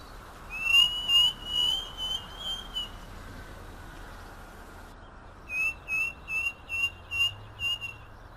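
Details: Song of a striped cuckoo from Argentina: a phrase of pure, high whistles in quick succession, about two per second, then a pause and a second run of seven short even whistles, with light background hiss.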